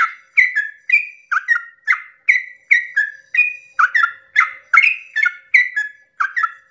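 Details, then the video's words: At early morning a yellow-vented bulbul pours out a long rapid song to excite other bulbuls; quick, bubbling whistled notes alternating high and low, delivered in an unbroken stream. "pancingan trucukan ropel panjang subuh pagi hari merangsang emosi trucuk lain agar ikut bunyi Ropel"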